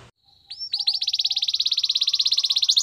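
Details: Belgian canary singing a training song: a short whistle and a few rising notes open into a long, even, very fast pulsed trill that holds for about two seconds.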